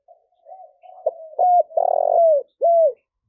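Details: Cooing spotted dove used to encourage newly caught doves to coo: soft wavering hums build into loud clipped coos and a long vibrating purr, ending with a clear arched coo.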